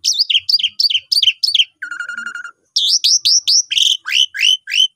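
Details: Asian pied starling nyapam song to train newly bought birds: a run of repeated chirped falling notes, a low buzzing rattle, then a series of rising whistled upslurs at about three per second.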